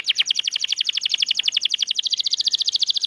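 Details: Canary singing to coax mute birds back into song: a steady, very fast rolling trill of bright, high notes, slightly changing in tone partway through, with no other sounds.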